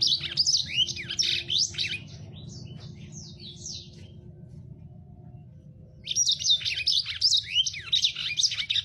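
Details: Lemon-breasted canary, a small finch, singing a tutor song for training captive birds, described as very rough and full speed: two bursts of rapid, varied high chirps and slurred notes separated by a pause of about two seconds, faint low hum beneath.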